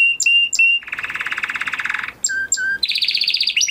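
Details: Huppe Spanish Timbrado canary, a kept bird from 2020 breeding, sings a training song: clear steady whistled notes, a long fast rolling trill, two short held tones, then a rapid higher rattle.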